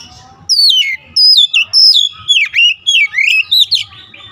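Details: Oriental magpie-robin song: a run of loud, clear whistled phrases, each a quick downward or upward slur, repeated in rapid bursts roughly twice a second with brief gaps between.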